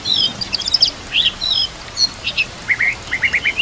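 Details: White-rumped shama (murai batu) singing for training other shamas: high thin whistles and chattering bursts, then paired slurred notes and a quick run of repeated short phrases at the end, over light background hiss.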